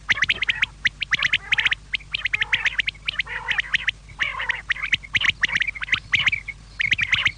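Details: Quail calling at evening: long runs of fast, high clicking and chirping notes with occasional harsh buzzy chatters, steady and dense throughout.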